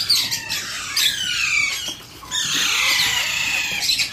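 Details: Begging Alexandrine parakeet chick during hand feeding: two long harsh squawking bursts with downward-sliding rasps and a short pause between them.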